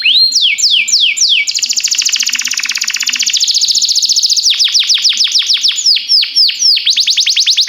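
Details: Training song from a timbrado canary: a few falling whistles, a long dense rolling trill, then fast repeated downward strokes and a pulsing trill to finish.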